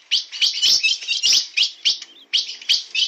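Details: Short burst of bico de aço song by a blue-black grosbeak: loud, high chirped notes in quick succession, a brief pause near the two-second mark, then more notes.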